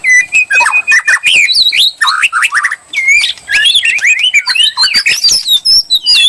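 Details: White-rumped shama singing as bait to provoke a reply; continuous high, twisting whistles and quick slurred notes with crisp clicks, one brief pause near three seconds.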